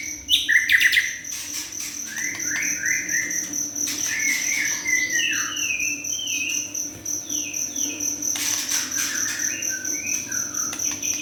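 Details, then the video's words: Juvenile white-rumped shama, singing freely: a lively run of short whistled notes and down-slurred phrases, with a few sharp clicks, set against a continuous high ringing tone like crickets. "Murai batu junior gacor"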